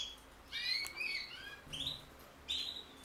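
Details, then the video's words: Linnet x canary hybrid song in short bursts: layered twittering notes, then a clipped higher phrase and another bright trill after a pause, with faint low background hum. "Φανετο χ καναρινι!!!! Carduelis cannabina x canary!!!"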